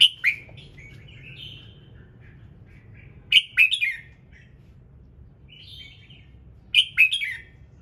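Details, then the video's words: Morning singing of a red-whiskered bulbul, played so other birds join in: warbling, slightly scratchy notes lead into loud chirped bursts at about three and a half and seven seconds, with quieter twitters between. "Chào Mào Hót Sáng Nhiều Âm Hay | KÍCH CHIM HÓT THEO LIỀN"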